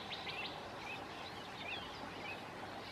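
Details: Sand martin colony beside the Bečva river in the Czech Republic, 3 June 2018: quick dry twitters and short chirps, several birds calling over a background of running water.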